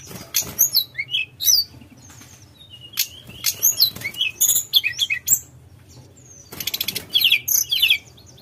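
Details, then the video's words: Javan whistling thrush, known locally as tledekan gunung, singing in a flute-like, continuous gacor style: thin high whistled notes, short slurs and sharp clicks in rapid bursts, with a fast trilled run near the end and faint flapping sounds. "Tledekan Gunung Gacor Nyuling Ngerol"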